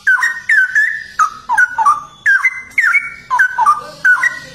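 A Straw-headed bulbul pours out loud, rich, bubbling whistled phrases, each short burst tumbling up and down, several strung together over a few seconds.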